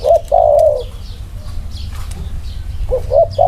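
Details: Spotted dove, one of two birds placed together to compare their cooing. Ends a long coo, then after a pause gives two short bouncing notes and starts another long coo, over soft background chirps of small birds.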